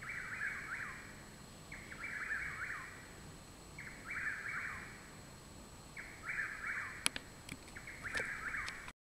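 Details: Possibly three Chuck-will's-widows singing at night behind a home in Parkersburg, West Virginia, on 21 June 2019: a loud, rhythmic whistled phrase repeated about every two seconds over steady background hiss, with a few sharp clicks.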